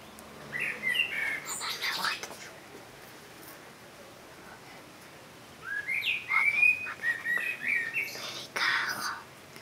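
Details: Common blackbird singing in two phrases, each a low, mellow fluted warble followed by a thin, high, squeaky twitter, separated by a few seconds of quiet background.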